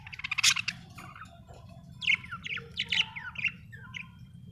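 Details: Budgerigar chirping, an Australian bird: bright harmonic squeaks open the passage, followed by a run of quick warbled notes and short rising and falling chirps packed closely together.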